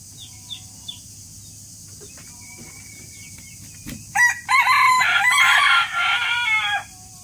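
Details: Rooster crowing after a few seconds of quiet with faint distant crowing; then one loud, harsh, strongly harmonic crow breaking into segments and lasting nearly three seconds.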